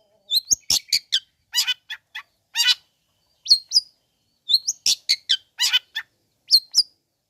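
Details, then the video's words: Lure song of a long-tailed shrike meant to provoke other shrikes into calling: lively, irregular runs of shrill chirps, upward-flicked whistles and a few raspy notes, delivered in clusters with brief pauses. "Bikin Cendet Loyo Kurang Emosi Agar Segera Terpancing Emosi &Ikut Bunyi"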